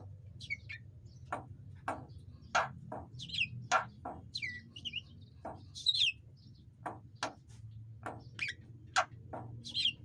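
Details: Javan myna song played as training material for cage birds, meant to prompt quiet birds to answer; irregular mix of squeaky rising whistles, sharp broadband clicks and short harsh chirps, with a steady low hum underneath.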